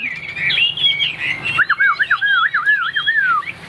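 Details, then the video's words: White-winged, white-tailed Chinese hwamei in a cage sings from the top perch, bright high whistles giving way to a looping chain of wavering, undulating whistled phrases that fall away at the end. "Cánh trắng đuôi trắng ôm cóng - Hót cao cầu l Hoạt Họa Mi"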